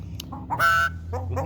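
A common myna imitates a hen: one harsh, nasal cackle under half a second long, framed by softer clucking notes over a low background hum.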